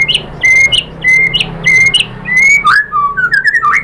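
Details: White-rumped shama (murai batu) lure song, used to provoke other shamas into answering: bright level whistles repeated about every half second, each followed by a short higher flick, then a falling run of varied whistled notes.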